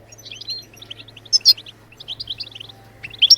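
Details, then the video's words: European goldfinch singing, meant to prompt other songbirds to sing; fast high twitters with a loud burst midway and again at the end, a low hum beneath. "بتبتات الحسون لتحفيز الطيور على التغريد بتبتات تجنن الحسون وتجعله يخرج كل التغاريد المخفية"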